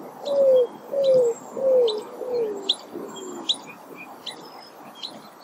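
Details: Greater roadrunner giving a series of five low, dove-like coos, each slurring slightly downward, the notes growing softer and lower as the series slows. Thin high chirps from other birds are heard throughout.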